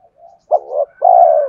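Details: Spotted dove song meant to lure wild birds: a soft faint coo, then a short burst and a long steady drawn-out coo, low and hoarse, with no other sounds.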